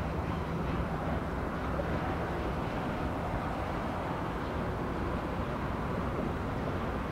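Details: Continuous deep mechanical rumble of a running engine with a broad hiss, and no animal calls heard.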